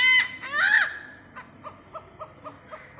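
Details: Great hornbill in Pathanamthitta gives two loud rasping honks, followed by a run of short soft notes repeated roughly every quarter second.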